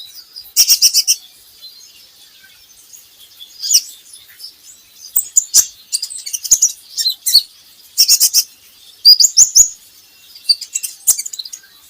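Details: Training recording of Javan hanging parrot song meant to prompt birds to sing: bursts of shrill, high-pitched chattering chirps in irregular clusters, separated by brief quiet gaps.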